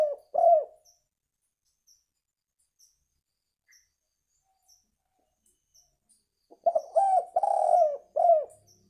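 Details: Spotted dove calling as a lure: the tail of one phrase opens, then after a quiet gap with faint regular ticks comes a full phrase of a short note, two long coos and a clipped ending coo.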